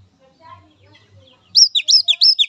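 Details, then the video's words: Wild Oriental magpie-robin, used as therapy for untrained, young spotted or silent captive birds. Faint, scattered soft sounds, then a sudden run of loud, clear whistles, each sliding down in pitch, repeated quickly. "Suara Khas Kacer Alam"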